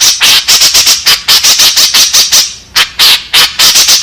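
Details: White-breasted woodswallow calling as a lure for its companions: rapid, coarse, scratchy notes pulsing several times a second, pausing briefly once before continuing.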